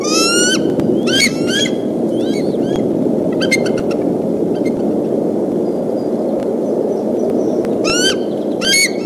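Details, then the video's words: Bald eagle pair defending their nest at Decorah from an intruding fox squirrel on 17 April, early afternoon; several bursts of high, chattering, stuttering calls with descending notes, separated by pauses, over steady low wind rumble. "Intruder Alert ~ Mom & Dad Defend What's Theirs"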